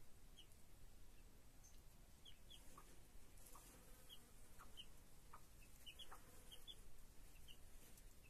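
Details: Chicks with a broody hen: thin, high peeps scattered through the clip, often in quick pairs, over a steady low background hum with a few soft lower notes.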